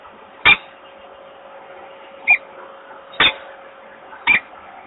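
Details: Peregrine falcon male inviting the female to the nest in Włocławek, Poland, 28 February 2022, without success. Four brief, sharp, high chips, each about a second apart, each with a dry click, over a low steady hum.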